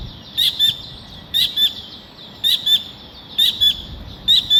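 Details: Collared kingfisher calling in a clear series of high, sharp paired notes, each pair about a second apart, five pairs in steady rhythm over a faint low background hum.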